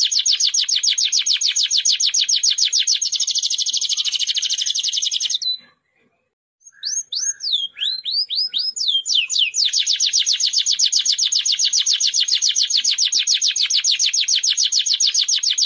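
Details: Timbrado canary singing for training other canaries: long, rapid, evenly pulsed high trills, broken by a brief pause and a run of varied sweeping whistled notes before the fast rolling trill resumes.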